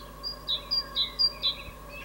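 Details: A great tit (Parus major) sings its evening song on 16 April 2022: three quick two-note phrases, a high clear note dropping to a slightly lower one, over a faint low hum.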